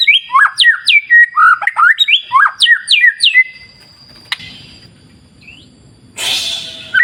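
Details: White-rumped shama (murai batu) song by a clear wild river: rhythmic repeated pairs of sharp downslurred and rising whistles for three seconds, then quiet water flow, a brief whistle and a burst of hissing noise.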